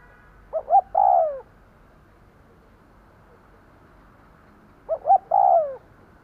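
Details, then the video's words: Low cooing of a decoy spotted dove calling in wild doves: two phrases about four seconds apart, each two quick hollow notes then a long downward-sliding coo. "Tiếng cu gáy mồi gù gáy kích bổi nhanh nổi / Cu gáy gù gáy kích bổi hiệu quả"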